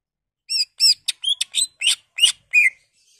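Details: Greater green leafbird song used to stimulate other leafbirds to sing: a rapid phrase of eight whistled and buzzy notes, varied in pitch, ending on a clear downslurred whistle.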